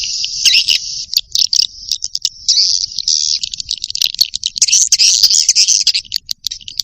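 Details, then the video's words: Shrill chattering from young swiftlets: buzzy, high trills and chirps run in uneven bursts with brief pauses, becoming denser and more warbled toward the end. "Suara walet ngeri sedap, Walet Remaja"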